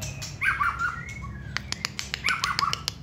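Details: White-rumped shama, hand-tamed contest singer, sings short warbled phrases that repeat in similar form, mixed with a series of sharp dry clicks and snaps in the middle and end.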